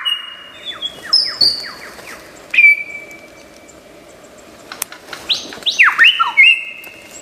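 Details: Lyrebird of Australian forests, a noted mimic, producing a varied string of imitations: thin high whistles and short downslurred notes, a long level whistle, a quiet pause, then swooping rising-and-falling whistled phrases.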